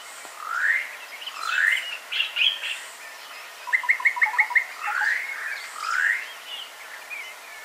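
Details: Three-banded courser moving very slowly near Lake Baringo, Kenya, giving rising slurred whistles with a quick run of about seven clipped notes in the middle; faint background hiss.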